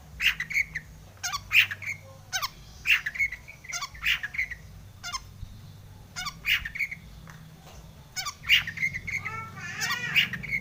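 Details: Long-tailed shrike singing a full, varied song used to provoke other shrikes into singing. Harsh, grating squawks come in pairs and short bursts about every second, with a brief buzzy, warbled phrase near the end.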